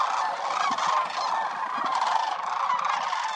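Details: A short burst from a wintering flock of sandhill cranes, more than 20,000 strong at Willcox Playa Wildlife Area, sounding as a thick chorus of rolling, trilled trumpet calls.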